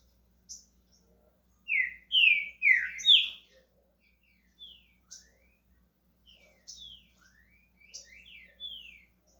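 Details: A green-winged saltator in Brazil beginning its song delivers a run of four strong downslurred whistles after a soft opening note, followed by quieter rising and falling whistled phrases.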